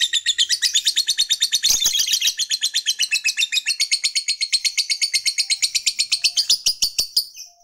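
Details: Fighter lovebird ngekek song meant to stir up a rival male: a long, rapid rattling chatter of high harsh pulses at a steady pace of nearly three per second, lasting the full seven and a half seconds.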